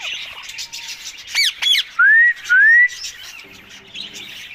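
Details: Pet talking rose-ringed (ringneck) parakeet gives two harsh squawks, then two loud, clear upslurred whistles half a second apart, with soft chirping of other birds behind.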